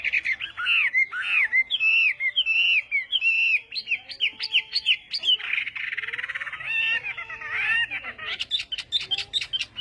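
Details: Chinese hwamei morning song for voice training: loud rich whistled phrases rising and falling in quick succession, a softer buzzy passage, then sharp repeated notes toward the end.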